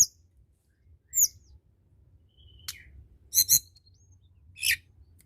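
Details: Energetic song of the hill blue flycatcher, played to get reluctant birds singing: high whistled notes, a thin drawn-out whistle, and sharp buzzy chips in short bursts separated by quiet.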